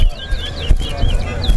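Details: Caged chestnut-bellied seed finch, known as towa towa, singing in a bird whistling competition in Guyana: quick warbled high whistles, rising and falling slurs in rapid succession, over low murmuring voices and crowd noise.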